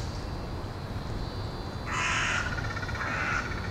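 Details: Carrion crows arriving to roost in a university woodland area in Hull, 20 February 2013 at 17:44: two harsh, hoarse caws about a second apart over a steady low rumble.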